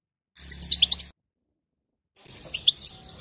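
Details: European goldfinch female bitbita call for rousing a male into song: a quick run of six sharp high chirps over a low steady hum, silence, then softer twittering notes.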